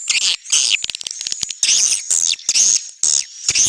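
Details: Swiftlet calls in dense bursts of high, buzzy chirps and twitters, broken by short gaps and a few sharp clicks, with a thin sustained whine running through.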